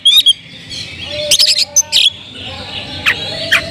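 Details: Oriental magpie-robin in loud kemrayak singing meant to provoke rivals: a brief whistled note, then scattered harsh scratchy bursts and short chirps separated by pauses, with a low steady background hum.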